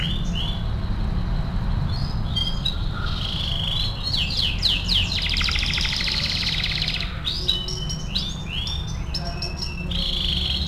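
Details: Vigorously singing canary on a master training recording: whistled slurs and chirps, then a long buzzy rattling trill lasting about two seconds, followed by more varied sweeping notes over steady low noise.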